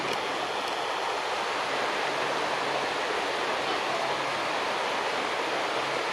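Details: Steady rushing water like a stream or waterfall fills the recording, with no animal calls.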